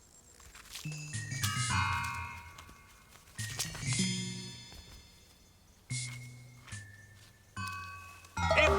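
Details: Chiming bell-like music with glockenspiel tones in separate bursts, and no animal voice heard.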